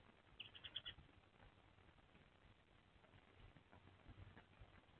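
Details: Eurasian tree sparrows (Passer montanus) at a nest box around 11 a.m., late December: the nesting female and, apparently, her mate call back and forth after a small flock visited; a quick burst of sharp, high chirps, then low outdoor rumble.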